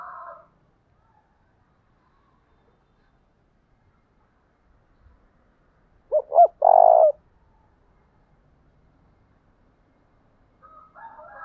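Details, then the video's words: Single 'thúc bổi' coo from a lure spotted dove of the 'thổ đồng' voice style, two brief notes then a drawn purring coo, amid long silence with faint chatter at both ends. "tiếng cu gáy thúc bổi, Tiếng cu gáy mồi chuẩn"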